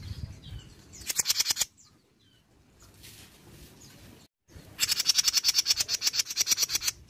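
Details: Mini jenggot bird from Indonesia, used as a lure to provoke other birds into song: a short rattling burst, a quiet stretch, then a long, steady run of rapid, buzzy, high ticking notes.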